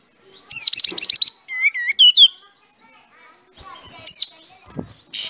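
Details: Sooty-headed bulbul singing energetically with its tail spread: a fast run of six sharp, bright high notes, then short rising and falling whistled phrases, a pause, and a final slurred high note among scattered softer chirps.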